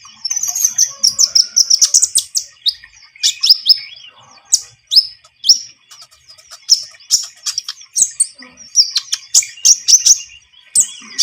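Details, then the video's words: Javan munia in vigorous song, used as a lure for bird trapping: an opening rush of high twittering, then evenly spaced sharp chirps and short squeaky phrases continuing throughout. "MASTERAN KONIN GACOR SUARA ENAK COCOK UNTUK PIKAT/PANCINGAN"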